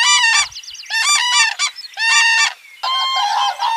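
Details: Common crane calling in repeated harsh, bugling bursts about once a second, each a stacked, slightly wavering trumpet note, the last one longer and more drawn out; otherwise quiet.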